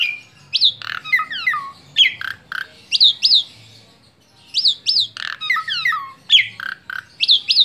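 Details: Asian pied starling, tame, singing rapid lively chattering phrases of upward-flicked whistles and descending slurred notes, in two bursts split by a short pause.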